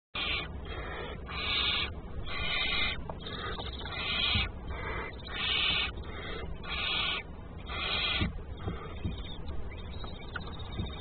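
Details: Barn Owl chicks in a nest, while the male brings food and prepares it with his back turned, give harsh, rasping hisses, each about half a second long and repeated roughly every second, over a low background rumble.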